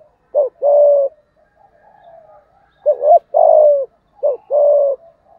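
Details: Male-provoking coo of a spotted dove, 'giọng thổ' style. Three low hooting phrases, each a short doubled note then a drawn-out even coo, separated by a pause with faint softer cooing.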